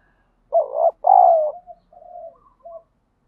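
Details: Spotted dove cooing during daily decoy training to urge fighting; one loud phrase of a short wavering coo and a longer steady coo, followed by soft, trailing coos from a more distant dove.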